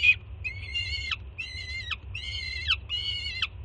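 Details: Juvenile peregrine falcon on a Jersey City nest cam, screaming loudly with excitement as its mother arrives with breakfast in June 2017; four long, harsh, harmonic screams, each ending in a sharp downward drop, over a low hum.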